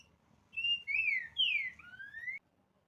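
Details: Green-winged saltator singing: a short phrase of clear, loud whistled notes, slurred up and down, ending on a long rising whistle, with quiet background.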